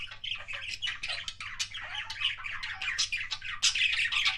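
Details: Pet budgerigar making kissing sounds: dense, fast chatter of squawky chirps and clicks between about 1 and 4k, warbling without pause, indoors with a low steady hum beneath.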